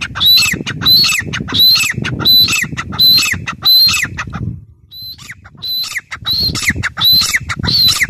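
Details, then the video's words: Grey francolin (teetar) calling over and over in loud harsh ringing notes; a run of six, a brief quieter gap, then the series resumes, against a low rumbling background. "gray francolin teetar sound"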